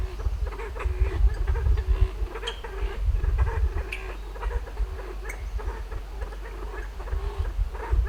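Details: Kalij pheasant going up to roost for the night in a western Himalayan forest sanctuary: a long run of low, throaty trilling notes repeated steadily, scattered with crisp clicks, some faint higher chirps in the background.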